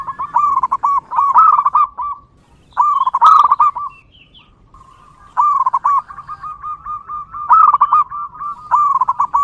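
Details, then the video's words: Wild local zebra dove, recorded to lure other zebra doves, repeating long phrases of rapid rolling coos. Some phrases trail into a long steady sequence of even notes, with brief pauses between phrases. "PERKUTUT LOKAL GACOR DI ALAM LIAR"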